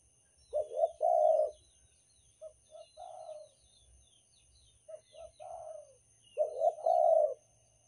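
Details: Banten spotted dove (derkuku) cooing as a trapping lure: three phrases, each of one or two short hoots and a drawn-out, wavering coo, the last loudest, over faint high chirps of other small birds.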